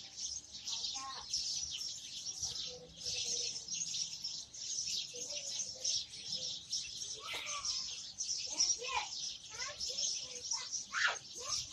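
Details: House sparrows (Passer domesticus) chirp constantly in a dense, overlapping chatter of short, bright notes, with human voices talking faintly underneath.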